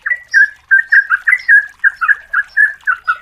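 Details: Female yellow-vented bulbul calling the male, used as a lure recording: a lively run of about thirteen bubbly, liquid notes, each a short warble that rises and falls, given in quick uneven succession.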